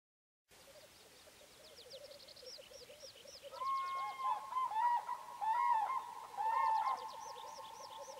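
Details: Black grouse giving a low, continuous bubbling coo, overlaid from the middle onward by a louder, wavering whistled warble and by high, repeated arching calls from other birds.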